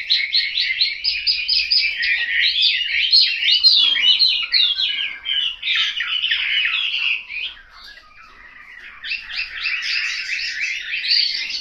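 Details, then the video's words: Home-kept Chinese hwamei in Hanoi delivering rapid, tumbling warbled phrases packed with quick repeated notes, then a short quiet spell before another burst of bright chattering song. "Họa mi"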